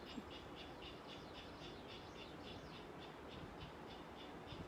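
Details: Light-footed Ridgway's rail at Tijuana Estuary, heard from behind the visitor center around midday on a fine day, gives a steady series of harsh, dry kek notes, about three a second, somewhat distant over a low outdoor rumble.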